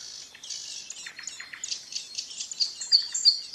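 Ouzel nestlings give a steady wash of high, wheezy, buzzy begging calls. Sharp, thin chips come in quick succession near the end.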